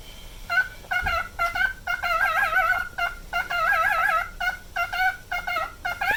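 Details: Pet cockatiel, a nine-year-old male, alternating clipped harmonic whistles with two drawn-out shaking vibrato phrases in its everyday repeated song.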